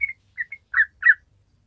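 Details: Yellow-vented bulbul, a chatty bird with long rapid 'ropel' song used to coax untrained bulbuls: two short whistled notes, a quick pip, then two louder warbled chirps.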